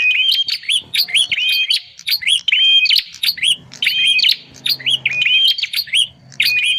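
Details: Lure call of bar-winged prinia for drawing wild birds: sharp chirping phrases repeated in quick bursts, each a sweeping whistle with high clicks, short gaps between groups, faint low hum underneath.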